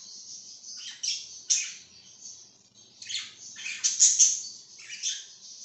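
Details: Parakeet chirping in high, scratchy warbles, with loud downward-sweeping notes and a dense chattering stretch near the end.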